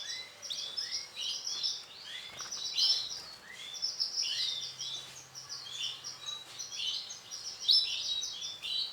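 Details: Male canary with orange sunkist colouring. Busy, high twittering song of quick chirps and short trills runs on without a break, loudness rising and falling, over faint background noise.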